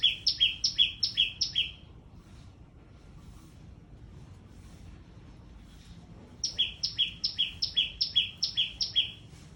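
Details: Small bird giving very loud calls in two bursts: a rapid series of high, falling two-note chirps, a pause of about four seconds with only faint background hiss, then the same shrill double notes resuming.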